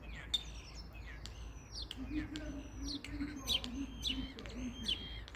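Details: Common starling producing drawn-out whistles, chattering notes and repeated clicks, with a low warbling undertone and quiet background noise.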